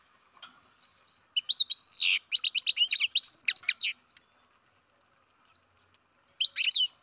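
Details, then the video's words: Young captive-bred European goldfinch giving a dense, excited stretch of high twittering chirps for about two and a half seconds, then a pause and one further short twittery burst. "Καρδερίνα εκτροφής μωρό (Goldfinch carduelis baby"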